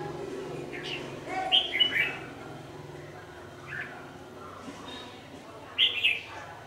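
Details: Red-whiskered bulbul, a decoy singing during trapping at dusk on 27 November 2018. Two short bursts of bright, warbled notes a few seconds apart, with quieter chirps between and a low background hum.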